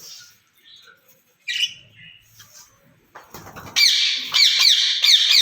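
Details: Two caged ringneck parrots said to be talking to each other in Urdu or Hindi. A quiet stretch with soft chirps and rustling gives way to loud, harsh, buzzy screeches repeated rapidly in the last two seconds.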